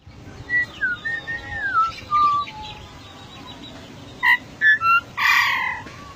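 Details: Golden myna, rare and endemic to Papua, giving a string of clear whistled notes that slide up and down, followed by three short sharp calls and a broad harsh squawk, with low steady rumble behind.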